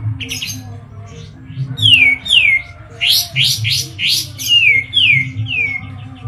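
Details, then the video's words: Medan white-eye, called kapas tembak locally, with a lively song: loud, clean downward-sliding whistles in a row, then a burst of rapid high chirps before more falling whistles, against a low steady hum. "KAPAS TEMBAK MEDAN GACOR ISIAN SUARA PEDAS NGEROLL SPEED NEMBAK EDAN LEPAS TROTOL"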